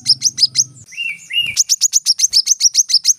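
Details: Brown-throated sunbird in rapid 'tembakan rapat' song: fast, high sharp chips, with a short lower whistled trill in the middle and a faint low hum at the start.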